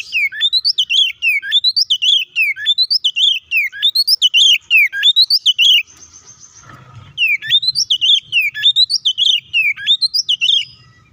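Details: Provoking 'ngeplong' fight song of the kacer, the Oriental magpie-robin: a long, rapid series of repeated hooked whistles, about four a second, that stops briefly near six seconds and then resumes.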